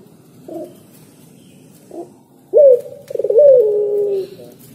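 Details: A spotted dove sings two faint short coos, then a loud rising note and a quick stuttering roll that runs into a drawn-out, gently descending coo, all low and mellow.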